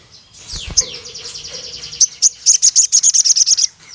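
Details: Crimson sunbird (sogon) calling a rival male: faint high buzzy notes, then a rapid burst of about thirteen sharp, very high chips near the end, with a low hum running underneath.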